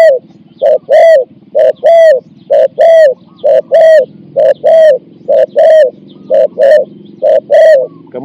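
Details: Thai spotted dove working as a decoy to lure a wild bird, with a coo of four to five notes. Steady series of deep, mellow coos in repeated phrases, short and long notes alternating, about one per second.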